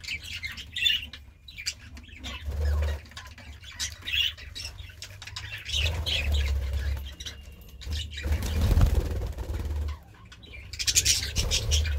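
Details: Budgerigar chirps and squawks in bursts separated by quieter gaps, with some wing flutter and a low droning background.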